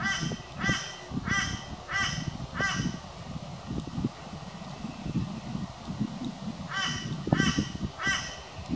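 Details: Crow spending the day attacking its own reflection in a glass sliding door, calling loudly: five harsh, nasal caws about two-thirds of a second apart, a pause, then three more, over low thumping and rustling noise.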